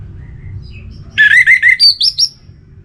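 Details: Orange-headed thrush from Singaraja, North Bali, singing to prompt other birds out of a slump. A short burst of rapid, slurred whistles climbs in pitch, about seven notes in just over a second, over a faint low hum.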